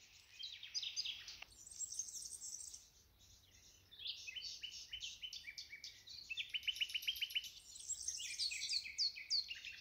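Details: Wild nightingale song from the green meadows of Ribagorza: clear, high phrases of rapid chirps and buzzy notes, including a fast run of evenly repeated identical notes, with brief quiet gaps between phrases.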